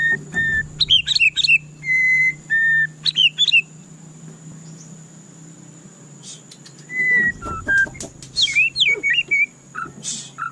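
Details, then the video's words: White-rumped shama giving short whistled phrases and quick chips, then nearly three seconds of quiet before another run of slurred, descending whistles and clicks. A steady high-pitched whine sits in the background. "Dengarkan suara candu Murai Batu ini"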